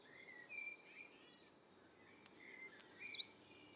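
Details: Eurasian Treecreeper, often singing from high in a tree in spring in Ireland: an extremely high, thin, shrill descending series that speeds into a quick trill and ends with a downward flourish, under three seconds long.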